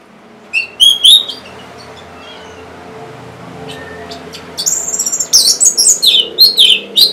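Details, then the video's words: Orange-headed thrush song for encouraging birds that won't sing: two brief whistled notes, a quiet stretch, then a long rapid sequence of varied, high, chattering and whistled phrases. "C0COK Untuk Pancingan Burung ANIS MERAH Bahan Macet Ataupun Malas Bunyi"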